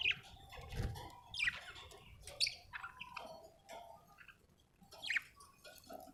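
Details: Budgie giving scattered short chirps and squeaky notes against a low rumbling background hum, with a few louder sharp chirps spaced a second or more apart.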